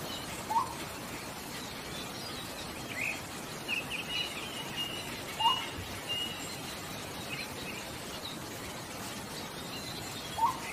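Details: Blue-throated motmot in Bogor giving short, hollow upslurred hoots about every five seconds, over steady hiss and faint chatter from other birds.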